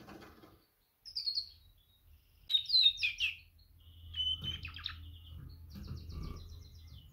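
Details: Female canary calling to males: a high chirp, a burst of rapid tweets, then a buzzy rattled phrase and soft chips over a low hum.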